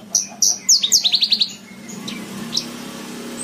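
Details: Short burst of bush lark song for training cage birds: a few sharp high whistles then a rapid descending trill, followed by quiet with a faint low hum.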